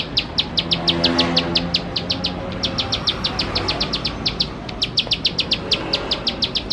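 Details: Ciblek sawah, the bar-winged prinia, giving an energetic 'gacor nembak-nembak' lure song: near-continuous volleys of crisp, high-pitched ticks at an even fast rate, briefly broken by short gaps.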